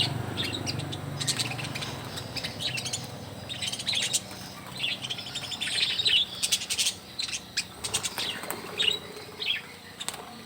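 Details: A flock of budgerigars in a small aviary at hand-feeding time keeps up a busy, overlapping chatter of high chirps and squeaks, mixed with clicks, taps and rustling from the cage.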